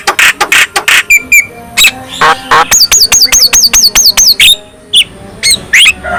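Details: Javan myna lure song for other mynas: loud harsh bursts at first, then a neat run of about ten repeated falling whistled notes, followed by scattered squawks.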